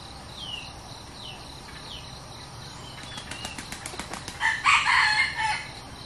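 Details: Newly acquired decoy red junglefowl (kai to), tried out for luring wild junglefowl: a burst of rapid wing flapping leads into a loud, hoarse, broken crow near the end, with faint insect hum and distant calls behind.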